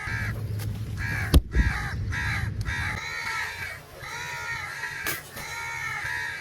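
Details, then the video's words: Harsh crow caws follow one another almost without a break, calling for food. Two sharp knocks sound early on and a low rumble runs underneath. "Crow Calling Sound For Food"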